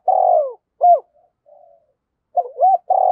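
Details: Spotted dove used as a decoy bird, giving its prodding and calling coos in a low, mellow voice. Drawn-out hoarse coos alternate with short two-part notes, with quiet pauses between phrases.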